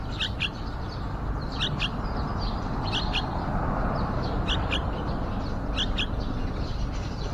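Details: Repeated double chirps, short and high, about every second, from yellow-vented bulbuls at a window-side nest with a young bird about to fledge. Steady low noise runs underneath.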